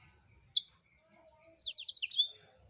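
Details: Blackthroat in full song, a master recording for songbird training: a brief high burst of notes, a short pause, then a longer rapid run of thin, descending chattering notes.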